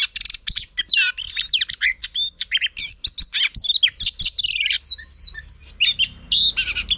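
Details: Female oriental magpie-robin singing to excite and spur on males: a rapid, dense run of sharp chirps, slurred whistles and bright rising-falling notes, with brief pauses and no other clear sounds.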